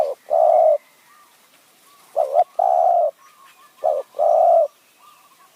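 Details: Luring call of a spotted dove decoy in high forest at Kanchanaburi, Thailand, in the nun ang style. Three full, steady hollow coos, each led by a brief clipped note, with soft background coos between.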